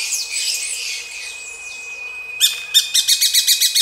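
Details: Mating Gray-breasted Parakeets give soft, jumbled high chatter at first, then a quick run of short, sharp, evenly repeated notes, roughly four per second, under a steady thin whine.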